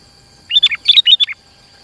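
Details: Sooty-headed bulbul singing eagerly for use as a rival-drawing lure: one brief, bright phrase of about six quick liquid notes, slightly falling at the end.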